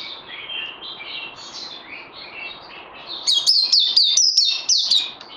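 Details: Bird under song training, 18 May 2020: soft, low warbling at first, then loud, bright, downslurred whistles repeated rapidly over the last two seconds.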